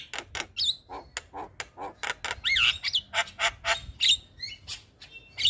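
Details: Javan myna calling in the morning so other mynas respond: steady harsh, clicking bursts about twice a second, broken by twisting whistled notes and squeaks.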